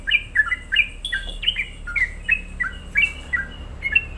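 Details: Sooty-headed bulbul singing a lure song meant to provoke other bulbuls: a steady run of short, bright two-part notes, each dropping in pitch, repeated about three times a second.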